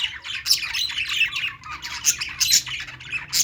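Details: Playing budgies keep up a dense chatter of scratchy chirps and warbles, sharp squeaky notes standing out roughly every second over the continuous twittering of a group.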